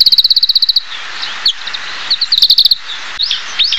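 Oriental Greenfinch singing rapid, high twittering trills of about fifteen notes a second, with a few rising buzzy notes, over a steady hiss.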